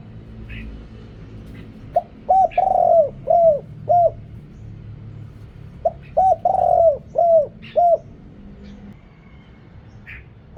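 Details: Spotted dove calling as a lure for wild birds, with background noise cut. Two matching phrases of low mellow coos, each with a drawn-out middle note among shorter ones, are separated by about two seconds of quiet.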